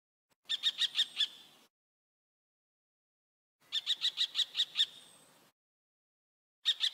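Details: Common kestrel calling in two rapid bursts of shrill, ringing 'kee-kee-kee' notes, about seven sharp notes per burst, separated by a few seconds of silence; no other sounds heard.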